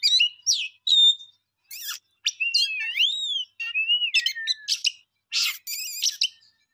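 A songbird delivers a varied, high song of clear whistles, sweeping slurred notes and brief buzzy bursts, with short pauses between phrases.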